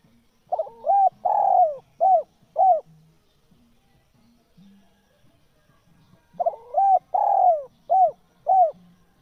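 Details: Spotted dove, a lure sound for wild doves, gives two full coo phrases about six seconds apart, each a stuttered opener, a long falling coo and two short arched notes, with faint low humming in the gap.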